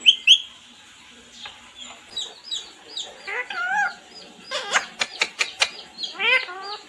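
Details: Parrot chirps in a lively series: sharp high notes, wavering harmonic calls, a run of sharp clicks, and a final bending squawk.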